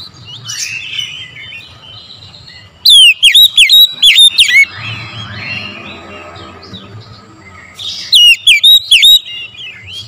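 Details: Morning lure song of an oriental magpie-robin: soft rambling warble breaks into two bursts of loud, bright, down-swooping whistles, about six notes each, with quieter twitters in between.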